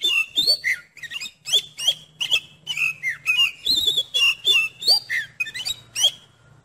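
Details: Song of an Oriental magpie-robin for testing another magpie-robin's nerve: steady, rapid phrases of rich whistles, about three each second, each whistle mixed with harsher rasping notes, with a faint low hum underneath.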